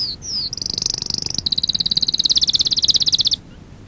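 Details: A canary on a training lesson recording for young birds sings two quick descending whistles, then a long, very high, loud trill of rapid even pulses lasting nearly three seconds before stopping abruptly.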